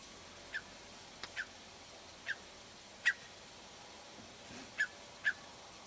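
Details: Eurasian curlew near Buxton, Peak District, Derbyshire, on 28 April 2013 gives six short, clear whistled notes at uneven intervals over about six seconds against steady wind hiss, while the recordist whistled back trying to draw it near.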